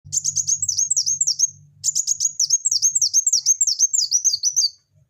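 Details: Olive-backed sunbird singing vigorously: rapid, very high-pitched twittering of thin slurred and down-swept notes in fast runs, one brief pause, then a second long burst, with a faint low hum beneath.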